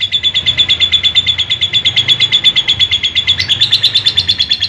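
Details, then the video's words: Long ngekek trill of a lovebird, recorded unedited as a training sound for young and adult birds: a rapid, even stream of high notes held for over four seconds, shifting slightly upward and coarser near the end. "Masteran Lovebird Yang lagi Viral, Ngekek Panjang Suara Asli Jernih"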